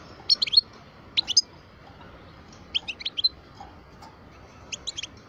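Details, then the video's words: Parva goldfinch, aged twelve, uttering short bunches of bright, high, tinkling notes spaced roughly a second apart, with soft background hiss. "Chant parva le meilleur"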